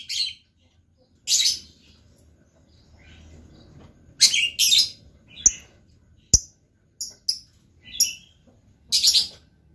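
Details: Lovebird uttering spaced, sharp, high chirps and short scratchy bursts, some clipped and click-like, with quiet gaps between them.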